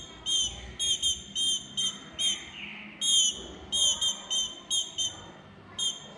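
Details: Female green-winged saltator calling softly while begging to mate: a run of short, high, clipped whistled notes in quick bursts, about eleven over six seconds, some doubled, with faint background hiss.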